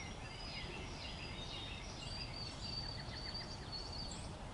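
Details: A White-throated Sparrow, a winter resident soon leaving, gives its mournful, descending mating call of long, pure, high whistles in early spring along the Cynwyd Heritage Trail, Lower Merion Township, Pennsylvania, with Carolina wren and robins chirping and a low rumble.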